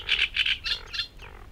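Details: A Eurasian reed warbler in the reed beds of Matsalu, Estonia, in a 1979 field recording sings harsh, scratchy chattering notes in quick doubled bursts about three times a second, fading toward the end.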